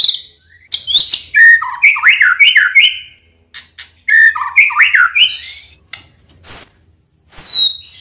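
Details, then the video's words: White-rumped shama (murai batu) in an Indonesian provocation recording meant to rouse its temper and bring out its krayer; loud whistled phrases of rising and falling slurred notes, one phrase repeated after a short pause, with faint clicks between. "PANCINGAN MURAI BATU AGAR EMOSINYA KELUAR"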